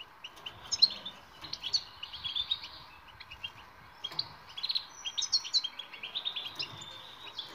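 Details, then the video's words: Batbata-style twittering of a European goldfinch, a training recording meant to get silent birds singing: scattered high chirps that build into bright, jangling runs of liquid notes and short buzzes, with a faint low hum underneath. "بتبتة المقنين الصامت لحل جميع المشاكل السكوت.. jilguero"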